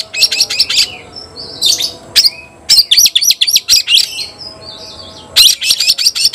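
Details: Caged white-rumped shama calling out a rival to fight, giving rapid series of harsh, scratchy chattering notes in several bursts, broken by short whistled slurs and brief pauses.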